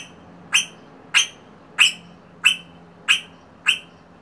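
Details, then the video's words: Rosella repeating a loud, sharp, ringing note about every two-thirds of a second, six times in a row, each note clipped and bright against a quiet background. "Rosella bird beautiful sound"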